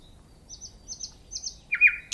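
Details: , a short burst of song: paired high, thin notes repeated three times, then a lower, rasping buzzy phrase and a sharp high ending, over faint low rumble.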